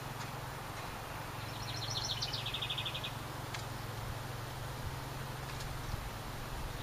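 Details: Summer house wren, one of a pair nesting in a ceramic birdhouse beside the main cabin, delivers a single fast, chattering trill of repeated high notes lasting under two seconds, with a soft low rumble beneath.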